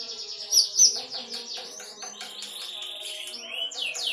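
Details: Lovebird singing in the continuous konslet style, a nonstop stream of high chirps, fast trills and rising and falling squeaky notes with hardly a break.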